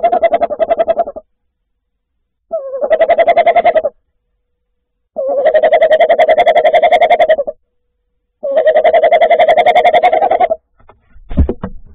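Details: Tawny owl (Strix aluco) at night on 10 January 2024 giving territorial calls to claim its nest: four long, quavering, mid-pitched hoots, each one to two seconds with pauses between, then a brief knock.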